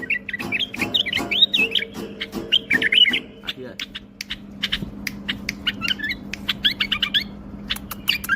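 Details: Tame caged bulbul giving warbling whistled phrases in the first seconds, then scattered sharp clicks and short notes, with a man's voice and a steady low hum in the background.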